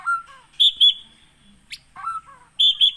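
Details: White-rumped shama from Gunung Leuser in Aceh, a bird caught in the wild at Aih Ilang in Pining in 2017 and kept on a farm, giving clear whistled phrases: a low slurred note, then high ringing notes, repeated.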